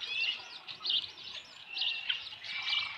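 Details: Osprey at a ranch nest on the evening of 15 July 2018, around 7:55 PM, as a headless fish is delivered. Dense, high chirping and piping calls run nearly continuously, rising and falling in bursts, with a faint outdoor background.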